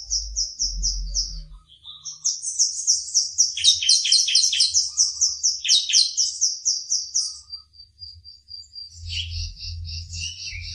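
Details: A wild-caught, now-captive bar-winged prinia that has started singing: loud, high song of rapid chipping notes and trilled bursts, then thin sustained whistles and repeated clipped phrases, with a faint low hum.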